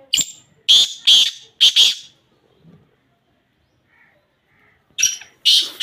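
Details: Black francolin (kala teetar) calling: a rasping phrase of four loud, strident notes, then about three seconds of near silence, then the start of another harsh, grating phrase.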